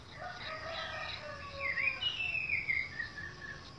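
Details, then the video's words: Orange-headed thrush singing in a garden: a varied phrase of clear whistled notes, low soft tones first, then louder sliding whistles that rise and fall, over faint steady background hiss. "Kicauan anis merah di kebun"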